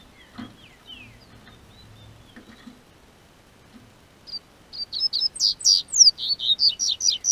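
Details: Warming spring weather in southern Brazil sets a captive-bred double-collared seedeater singing: after quiet background knocks, a fast, bright string of high downslurred notes starts and continues to the end.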